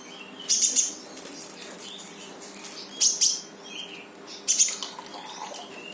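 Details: Brown-throated sunbird singing to prompt a silent bird to answer: three bursts of shrill rapid chips about two seconds apart, with softer thin whistles between and a low steady hum.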